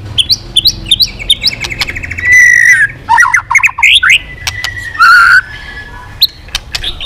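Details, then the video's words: White-rumped shama driven to sing hard, tail beating steadily: a quick string of upward chips, a harsh buzzy burst, looping whistles and a second rasping note, with sharp clicks between phrases. "Chòe Lửa kéo dây yến đảo giọng đập đuôi liên tục. kích Chòe Lửa hót căng."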